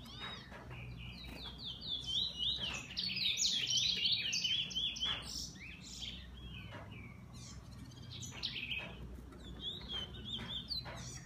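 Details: Owned bullfinch singing a dense burst of high, hurried chattering notes that peaks midway, then thins to scattered chirps over soft background noise.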